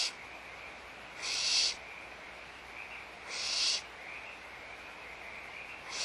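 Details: During feeding in the nest, barn owls at Audubon Starr Ranch Sanctuary, 16 March 2011 around 8:19 a.m., make two loud breathy hissing screeches about two seconds apart, with a third starting at the end.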